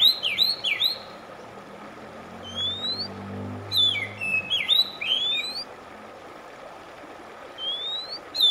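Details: Oriental magpie-robin (kacer) from a track meant to calm a stressed bird: clusters of loud, looping, slurred whistles in bursts, lone rising whistled notes between them, and a low rumble near the middle over steady hiss.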